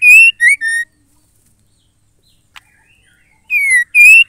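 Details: Female white-rumped shama giving a call used to stir males into singing: a quick run of three clear, ringing whistled notes, the first level and the last falling, then a long silence with a faint click, then two more strong whistles.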